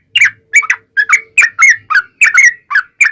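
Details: Yellow-vented bulbul singing in the long-running 'ropel panjang' style, played to coax bulbuls into replying: quick liquid chirping notes in tight bursts, some rising then dropping, with a faint low hum underneath.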